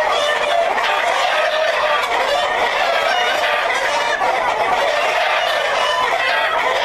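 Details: Many Black Jersey Giant chickens of a breeder flock calling together, a constant layered mix of clucks, squawks and short cackles that never falls quiet.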